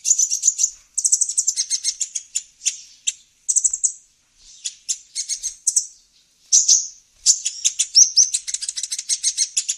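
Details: Lively olive-backed sunbird twittering for attracting wild birds: bursts of fast, high staccato chips and short trills, broken by brief pauses and occasional arched chirps.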